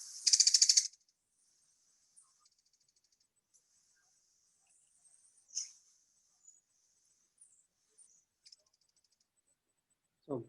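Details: In Cuba, a tiny, chickadee-sized Cuban tody, a Cuban endemic, gives one loud, buzzy rattle lasting under a second. Faint, high thin notes follow, and a brief voice cuts in at the end.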